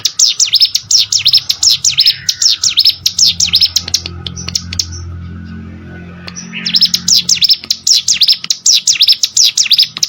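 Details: Competition-bird training audio of a hill prinia: fast strings of high swept notes, a descending slur, a pause of about two seconds with low rumble, then the rapid song returning.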